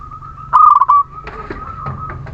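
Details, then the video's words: Zebra dove of the local Muria type, used as a lure to prompt lazy birds to sing, giving one quick stuttered coo phrase followed by a faint, steady tonal trailing note and soft background noise. "Perkutut lokal Muria gacor pancingan setiap waktu perkutut malas bunyi"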